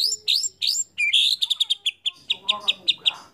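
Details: Actively singing white-rumped shama, used as a lure for other shamas: three bright rising whistled notes, a pause, then a rich slurred note followed by a string of short, crisp repeated chips.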